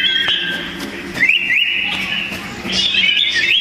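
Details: Two sooty-headed bulbuls singing against each other in a hard-fought duel; loud, tightly packed song of steady whistles broken by quick rising zigzag notes and short trilled bursts.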